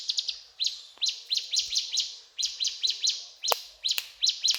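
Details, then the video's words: Ciblek gunung singing cetrakan: clusters of two to four quick, bright, high chirps repeated in short bursts about every half second, with a few sharp clicks. "Burung Ciblek Gunung Gacor Cetrakan"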